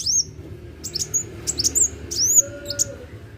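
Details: Sunbird in full song: a few isolated, very high, thin chirps and arched squeaks spaced out over the clip, with a steady low hum and a faint lower tone near the end.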